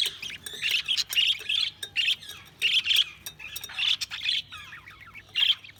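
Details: Budgerigars chirping in a dense run of short, bright, scratchy chirps and warbles, bursting in quick clusters with brief gaps, some notes squawky, over a faint low hum.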